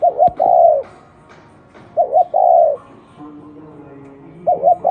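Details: Spotted dove, a local field bird, cooing: two quick short notes, then a longer falling coo, repeated three times about every two seconds, with faint steady tones behind.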